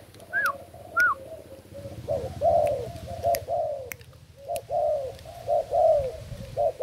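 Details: Spotted dove of Thai stock kept as a decoy in a bare cage, recorded 8 August 2018, gives rhythmic low cooing phrases of short notes and drawn-out slurred coos; two higher chirps from another bird open the recording.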